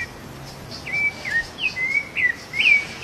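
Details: Rufous-bellied thrush, free in the wild and feeding, gives a sequence of bright whistled slurs, several falling then rising, spaced roughly every half second over steady soft ambient noise.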